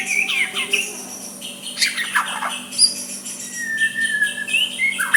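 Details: White-rumped shama singing a soft song meant to provoke a rival into replying: scattered whistled notes and sharp downward slurs, with a few long level whistles near the end over faint steady hum.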